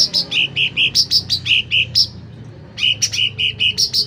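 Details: Loud, lively sooty-headed bulbul song: rapid clear whistled notes alternating between a lower and a higher pitch, about five per second, broken by a short pause midway; faint low hum behind.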